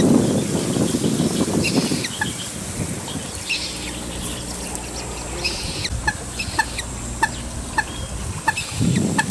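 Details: Common Moorhen family with two well-grown young calling hard for the parents as they leave home; clipped peeps repeat roughly twice a second in a steady run, over low rumbling noise and a high insect whine.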